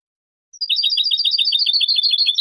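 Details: Spanish-style goldfinch song meant to educate juveniles and for contests: after a short silence, a dense, unbroken stream of high, tinkling, buzz-edged twittering notes. Clean background.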